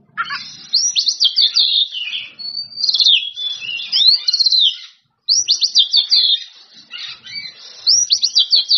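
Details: Oriental magpie-robin singing to provoke rivals: rapid runs of sharp, scratchy downward notes in loud bursts, one brief silence midway, then more chattering phrases.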